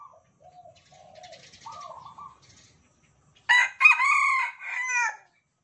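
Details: Captive Red Junglefowl of Sumatran stock, raised from a day-old chick and kept caged, crowing in answer to cagemates. A faint, distant broken crow comes first, then a loud, harsh, ringing crow in several clipped segments.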